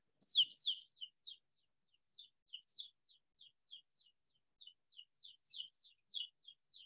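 An American Pipit sings a quick series of high, clear, slurred notes, several per second, like a car alarm; no other sounds.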